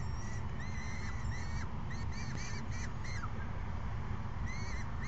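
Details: Peregrine falcon young calling to a parent, May 29, 2022, 12:17 PM: repeated short, curved, whining squeals in a quick run, then a gap and one final squeal, set against constant low background rumble.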